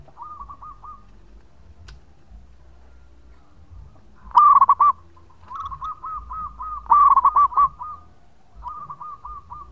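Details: Local zebra dove in active song, recorded as a lure: loud phrases of trilled, fluted coos alternate with fainter, more distant cooing series from other doves, about two dozen phrases a minute.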